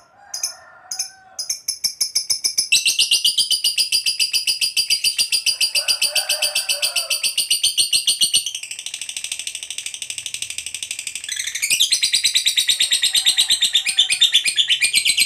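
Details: Long 'ngekek panjang' trill from a fighter-type lovebird, used as a lure to draw replies from other lovebirds. A few short squeaks, then a fast, shrill, rattling chatter pours on without pause for about thirteen seconds, shifting pitch midway.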